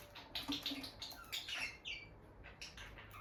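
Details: Two peach-faced lovebirds, a bonded couple beside their nest box; short shrill squeaks and chirps follow one another quickly over a low background hum.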